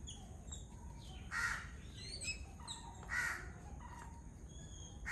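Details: Feeding flock of Yellow-billed Babblers at a coconut shell; loud grating calls recur roughly every two seconds, mixed with thin whistled chirps from other birds and a low constant rumble beneath.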